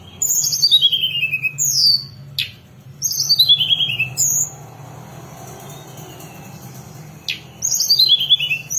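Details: Hill blue flycatcher song as a lure for catching and training birds: clear descending whistled phrases repeated after gaps of about two seconds, with a faint steady background hum.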